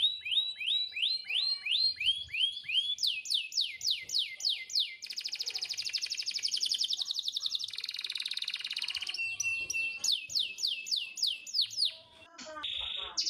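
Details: Canary master song meant to coax other canaries into singing: repeated rising-falling whistled phrases, a dense buzzing trill in the middle, then more looping notes and a brief high rattle.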